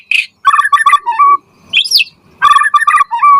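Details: White-rumped shama in lively song meant to trigger answers from other shamas: rattling rhythmic chattered notes and mellow low whistles, a high squeaky upward sweep, then more chatter ending in a steady whistle.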